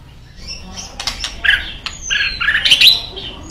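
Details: White-rumped shama in captivity giving a scratchy, varied song of short buzzy and whistled notes with sharp clicks and rustling, fairly dense and irregular.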